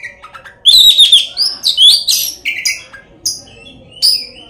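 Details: Oriental magpie-robin singing a lure song packed with filler phrases to provoke other magpie-robins into song and fighting; clear high whistled slurs among scratchy buzzy notes, delivered in quick uneven bursts.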